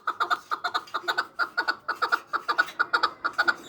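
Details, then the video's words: Samarkand chukar partridge calling in quick, rhythmic chucking bursts, some notes doubled, repeated several times a second in a quiet indoor-sounding setting. "Кабки Самарқанд"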